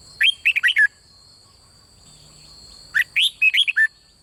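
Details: Red-whiskered bulbul singing a doubled-style song, played to provoke other birds to sing: two bursts of four or five quick, bright, warbled notes, rising and falling, about 2.5 seconds apart, over steady high-pitched electronic tones.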